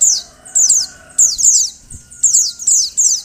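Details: A female Oriental white-eye calls to encourage males to sing: thin, high, downward-sweeping notes grouped in twos and threes, each burst separated by about half a second of quiet.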